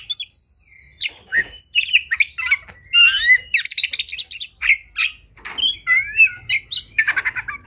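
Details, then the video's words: Combative oriental magpie-robin (kacer) singing loudly to provoke other magpie-robins: high looping whistles at first, then fast chattering trills, sharp squawks and twisting slurred phrases with short pauses. "Kacer Gacor Tarung Emosi Tinggi! Buat Kacer Lain Langsung Ikut Emosi Auto Buka Ekor"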